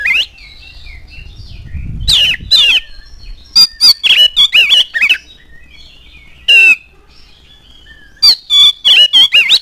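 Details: Oriental magpie-robin song used to provoke other birds to sing: soft whistles, a brief low rustle, then repeated bursts of loud harsh, scratchy notes and chirps separated by short quiet gaps.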